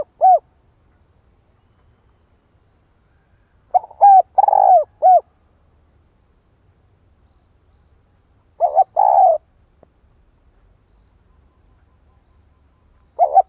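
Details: Decoy spotted dove calling to provoke a male. Cooing phrases return roughly every four to five seconds, each a short hollow note, a burry trembling coo and a closing note, with silence between them.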